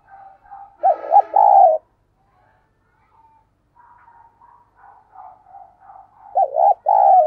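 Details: Lure spotted dove calling wild doves in the thúc and gáy styles: two loud two-part coos, a wavering note then a sustained one, about five seconds apart, with softer short cooing notes between them.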